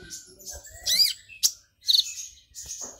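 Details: Agitated brown-throated sunbird delivering a song with mimicked golden grasshopper notes: dense, slurred high twittering with a rising and falling swoop, a sharp click-like note, then a buzzy high trill.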